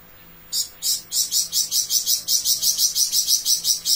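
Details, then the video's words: A Flamboyan bird in full continuous song gives a long run of very high, buzzy, hissing notes, about four each second, steady and insect-like, over a quiet background. "Burung Flamboyan Gacor Besetan Panjang"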